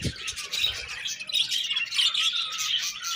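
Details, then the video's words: Budgies give steady, overlapping high chirps and warbling twitters, an unbroken busy chatter with a soft thump at the start. "Budgies Sweet Chirping Sounds"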